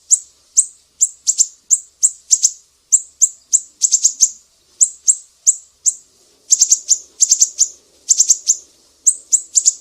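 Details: Mangrove whistler from Sumatra used as a songbird training master, delivering 'besetan' piercing calls: thin high chips, sometimes single and sometimes in tight bursts of three or four, with brief pauses between runs.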